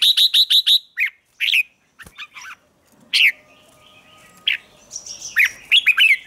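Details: Red-whiskered bulbul sings in the morning for training: opens with a fast run of five sharp ticking notes, then scattered loud slurred chirps and short warbles, with a steady faint tone in the background.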